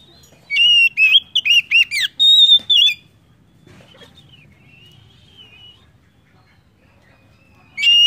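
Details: Oriental magpie-robin (kacer) singing as a lure for other birds: a dense, fast burst of varied chirps and whistles, then a soft, drawn-out thin whistle, and a loud note returning at the end.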